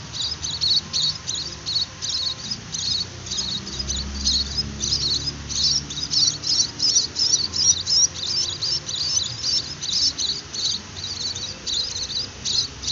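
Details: Young munia being hand-fed, begging with a dense, continuous stream of thin, high chirps. The chirps are rapid and uneven, with no pause across the whole stretch.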